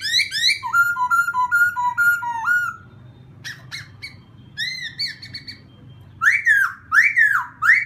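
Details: Laughingthrush song meant to provoke a newly caught wild bird: varied whistles, a string of level whistled notes, short sharp clicks and chirps, then strong rising-and-falling slurred whistles.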